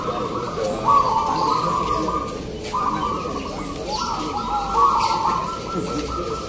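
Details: Several zebra doves (perkutut) coo together at a local zebra dove singing contest in Singosaren, Yogyakarta, giving overlapping, rolling, trilled phrases at a steady mid pitch, with faint voices and crowd noise underneath.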